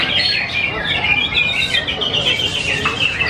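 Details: Contest-winning greater green leafbird at a Yogyakarta, Indonesia song competition: bright, busy warbling of high whistles and short trills without pause, faint human voices in the background.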